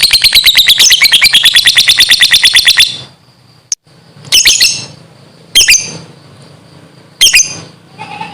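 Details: Lovebird in the morning giving its long-duration ngekek: a rapid, harsh, evenly pulsed chatter about three times per second-fraction, lasting nearly three seconds, followed by three separate shrill squawk bursts with quiet low hum between.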